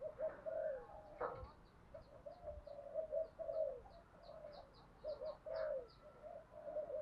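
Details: Decoy spotted dove cooing to provoke fighting and quickly stir wild doves into cooing; a steady run of mellow, mid-pitched coos repeats through the recording, with faint high ticking and a brief knock in the background.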